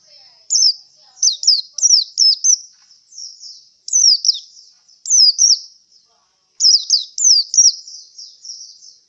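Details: Oriental white-eye, called pleci locally, tired after a songbird contest performance, gives repeated high, sharp twittered notes in clustered bursts separated by brief gaps.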